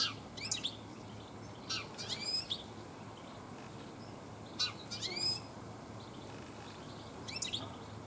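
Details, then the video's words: European goldfinch singing in a garden during late afternoon, many goldfinches present; several short phrases of tinkling, fast-modulated twitters spaced a few seconds apart over a quiet, humming background. "European Goldfinch singing in my Garden - Stieglitze singen"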